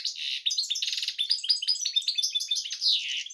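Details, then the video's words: Canary-goldfinch hybrid song, loud and unbroken, mixing buzzy rattled trills with quick high chirps and liquid twitters across the whole stretch. "hybrid Carduelis x Canary"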